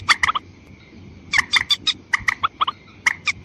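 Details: Lure call of the white-breasted waterhen, used to attract females and males: short bursts of two to four hoarse, clucking notes, spaced by brief silences, with a steady high hum.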